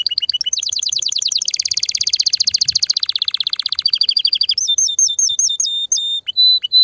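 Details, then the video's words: Loud, excited canary song meant to prepare females for mating and nest building, made of long rapid rolling trills that sweep down and back up, ending in a run of separate whistled notes with short gaps. "تغريد كناري هائج , لتجهيز الاناث على التزاوج , و بناء العش فورا"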